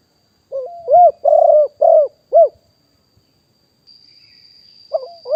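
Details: Wild spotted dove recorded live in 2021 as a decoy voice for luring wild doves. A short rising lead-in note, then four hoarse, throaty coos in quick succession, and another phrase beginning at the end. A faint steady high whine runs behind it.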